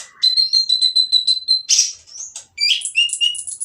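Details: Oriental magpie-robin with a coarse song meant to make other magpie-robins sing: a long rapid run of repeated high notes, a buzzy burst, then quick trilled phrases rising in pitch.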